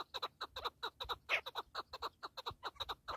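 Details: Partridge delivering rhythmic, doubled clucking notes, a steady chuk-chuk pattern repeated for several seconds.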